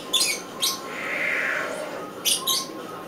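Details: Harsh, breathy rasps from a northern white-faced owl chick on 2011-09-10: two quick bursts, a softer drawn-out hiss, then two more bursts near the end, indoors with low steady background noise.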